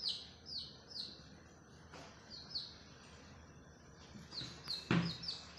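Chicks peep steadily, high, thin notes sliding downward about twice a second, with a couple of sharp knocks and low background rumble.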